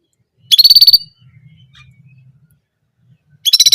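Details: Orange German canary singing a single repeated sound: two loud, rapid pulsed trill bursts of about half a second each, high and bright, separated by three seconds with only a faint low hum between.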